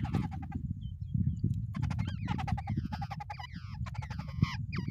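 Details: A pair of wild babblers sharing a nest chatter in quick, overlapping bursts of scratchy, downslurred notes, busy and irregular, with a constant low rumble underneath.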